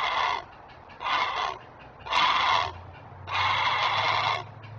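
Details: Great blue heron guarding offspring at a webcam-watched nest, giving alerting calls: four coarse rasping squawks, the last one longest, over a faint low mechanical hum.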